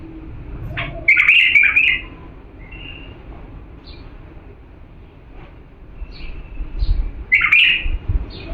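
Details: Purebred bulbul from Diyala singing, a recording meant for tutoring young birds: two loud, bright warbled phrases around one and seven seconds, slurred and whistled, separated by quieter chirps over a low indoor hum.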